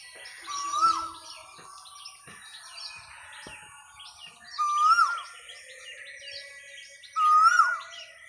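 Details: Asian koel (Eudynamys scolopaceus) in a small herbal botanical garden gives three loud, rising whistled calls a few seconds apart, over a busy background of chirping small birds.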